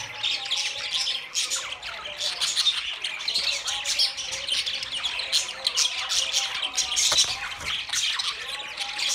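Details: Budgerigars twittering in a thick, continuous warble of short chirps, rasps and squeaks, steady throughout.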